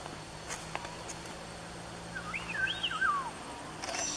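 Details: Purple-throated Fruitcrow, recorded in Panama in 2015, gives a brief run of mellow, looping whistles that rise and fall, lasting about a second, over faint low hum and a few clicks.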